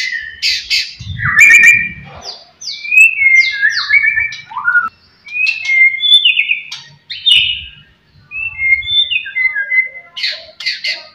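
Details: White-rumped shama singing to provoke rival birds: varied fluty whistles, slurred up and down, in bursts separated by short pauses, with a buzzy chatter at the start and end.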